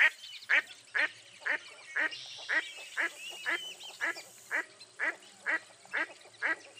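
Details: Steady harsh quacking from a mottled duck, about two calls per second, over a soft background hiss with faint twittering.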